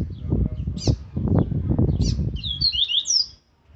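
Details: Aggressive rusty-collared seedeater song in the Viviti Zel Zel Laranjeira style, for training: heavy low knocking and handling noise with a few sharp high chips, then a closing phrase of bright, rapid whistled slurs.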